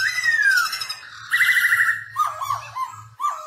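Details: A Black-throated laughingthrush sings while dancing, meant for training young birds to sing: a long falling whistle, then a fast trilled phrase, then looping warbled notes with a faint low hum underneath.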